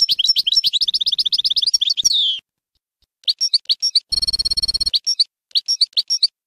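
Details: Bainam Ghazarat style goldfinch song for training chicks: a fast even series of high repeated chirps ending in a downslurred note, then clipped phrases of chirps broken by a brief harsh buzzy burst.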